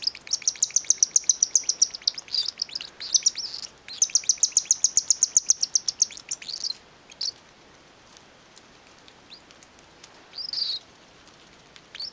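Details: A mother Cockatiel gives rapid, high, scratchy chirps in quick bursts, then a few scattered notes, while head-bobbing and attempting to feed a baby.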